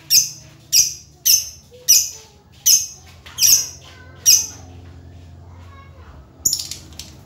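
A lovebird gives seven shrill, piercing chirps about every half second, pauses, then adds one more harsh chirp over a faint low hum.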